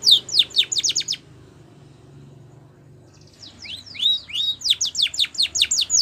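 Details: Spanish Timbrado canary singing a training song: quick high downward-sweeping notes, a pause of nearly three seconds, then another fast run of sharp descending whistles.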